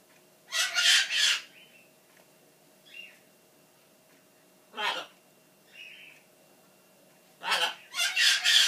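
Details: Indoor pet macaw throwing a 'buh bye' tantrum, believing its owner is about to leave. Loud, broad, rasping double shout at the start, a short sharp yelp midway, and a closing burst of loud harsh cries, with faint chirpy sounds between.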